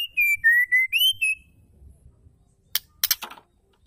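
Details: Female white-rumped shama calling, a sound used to stimulate males to sing: a clear whistled phrase of stepped notes that dip and rise, followed by a few harsh, rasping bursts.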